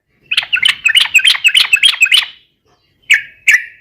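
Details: Yellow-vented bulbul in 'gacor garuda' song, played as a lure so other birds respond: a rapid bubbly warbled phrase of about two seconds, then two single sharp notes.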